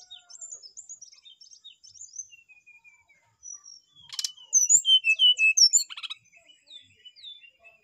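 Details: Energetic brown-chested jungle flycatcher song: soft high twittering, then a loud, rich sequence of looping whistles with a sharp buzzy note in the middle, fading back to quiet chirps.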